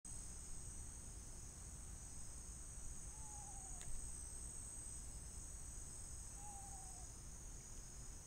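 A screech owl gives two faint, short descending whistles about three seconds apart, over a steady high insect chorus and low background rumble.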